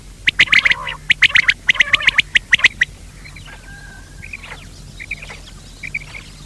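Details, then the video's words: Lure call of a quail for net hunting, opening with a loud string of sharp, grating notes in quick bursts, then fading to faint scattered calls over a quiet background. "بٹیر کی آواز,batair ki awaz, bater ki awaz,quail sound"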